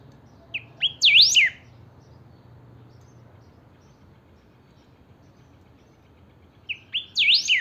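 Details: Captive chiviro, a saffron finch, singing: two matching phrases several seconds apart, each of two short rising notes leading into a loud flourish of steep whistled up-down sweeps, with quiet between.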